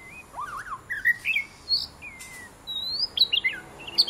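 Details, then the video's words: Varied, fluid whistles from a pet white-rumped shama while it plays with its owner: wavering slurred phrases, a long rising whistle and quick high twitters in a clear, quiet room. "white rumped shama"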